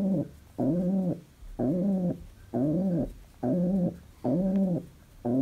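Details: Indoor pet pigeon in a happy mood repeats a deep, rounded coo about every second. Around six notes arch gently in pitch, with a faint low hum between them.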